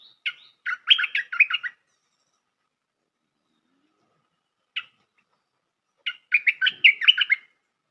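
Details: Lure recording of a bulbul for trapping: quick bursts of chattering, bubbly notes, a lone note after a long pause, then another rapid chattering phrase.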